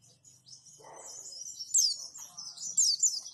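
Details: White-eye singing in the wituwit and roll tembak manner, a master track for training other white-eyes: thin high warbling that grows louder, with sharp squeaky whistled slurs near the end and a brief soft rustle early on.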